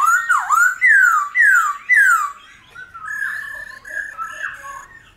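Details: Black-throated laughingthrush song in the 'old forest' voice, meant to stimulate wild-caught birds to sing: four loud down-slurred whistles about every half second, then softer warbled, wavering phrases.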